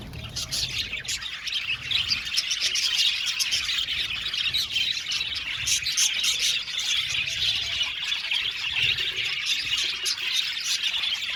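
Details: Budgerigars, a colony of many birds in an aviary, keep up a dense, unbroken chorus of high chirps, squeaky warbles and chattering notes, with scattered sharp clicks over a busy, steady wash of calls.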